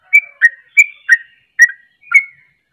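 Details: Trucuk, the yellow-vented bulbul, singing loudly as a lure to excite rival bulbuls: six clear, separated chirped notes with small downward slurs, spaced unevenly and set against silence.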